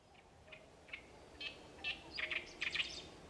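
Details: Great reed warbler song building from spaced single harsh notes to a denser cluster of grating, chattering syllables near the end, over faint background hiss.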